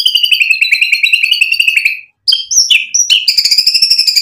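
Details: White-rumped shama in full song meant to draw a reply from other birds: a long rapid trilled phrase slowly falling in pitch, a brief pause, then sharp high notes and another fast rising trill.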